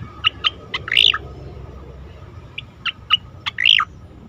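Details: Competition-training recording of an Asian pied starling: a few spaced sharp chips, a louder warbling downslurred phrase, quiet pause, then more chips and another slurred warble; low-level hum throughout.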